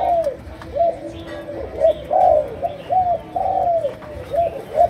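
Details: Spotted dove, Malaysian strain, singing a chiêu gù coo of sấm đồng type. Mellow, slightly downslurred hoots follow one another almost continuously, some long and drawn out, against a quiet background.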